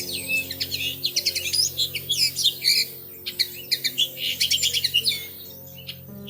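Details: A pair of Bushtits nesting in a plum tree in early May, filmed from a window at treetop level: busy high, thin chattering and twittering notes in quick clustered bursts, with a faint steady indoor hum underneath.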